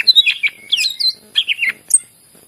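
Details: Brief burst of greater green leafbird song, used to stimulate other leafbirds: tumbling whistled notes and chirps ending in one high thin note.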